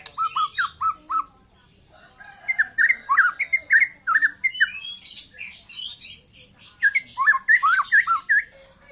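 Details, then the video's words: Song of a young white-rumped shama that has just lost its speckled juvenile plumage. It opens with three repeated clear whistled notes, then runs into quick varied whistles and slurs laced with scratchy rasping bursts. "KICAU BURUNG MURAI MUDA LEPAS TROTOL"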